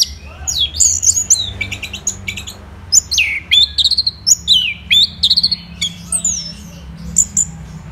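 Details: Orange-headed thrush in full morning song from Kubutambahan, Singaraja, Bali: rapid varied whistled phrases, sharp downslurred notes and buzzy trills tumbling from high to mid pitch, with brief pauses between bursts over a faint low hum.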